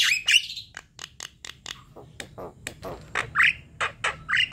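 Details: Javan myna, recorded as a lure to trigger singing, in a fast sequence of harsh broadband squawks and clicks broken by short rising whistles, sharp notes repeating about every quarter second.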